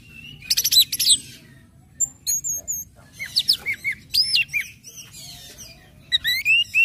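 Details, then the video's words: Orange-headed thrush singing in ngecip, ngecit and ngeplong styles to stimulate other birds to sing along: dense high chips, then loud looped whistles and upward-sweeping slurred notes in quick succession, over a quiet low hum. "SUARA ANIS MERAH NGECIP NGECIT NGEPLONG PEMANCING BIRAHI AGAR IKUT BUNYI"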